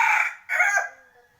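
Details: White competition decoy rooster recorded on 25 February 2020, crowing: a loud harsh opening burst, a brief break, then a second strained section that fades into a thin trailing tail.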